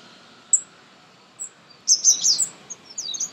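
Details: High, thin notes from a sunbird in an Indian garden: a lone chirp, a pause, then a brief rapid cluster of bright, piercing twittering notes with a few softer calls after it.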